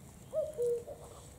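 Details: One clear cu-ckoo from a common cuckoo: a short higher note followed by a longer, lower second note.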